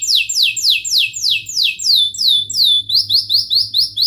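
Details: Canary in long continuous song meant to coax young and stalled canaries into singing: a series of clear downward-slurred whistles about four per second, shifting into quicker rising chirps.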